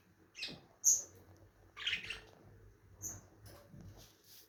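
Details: Lovebird calls, short sharp squeaky chirps arriving about once a second, some thin and very high, others fuller and rasping, separated by brief quiet gaps.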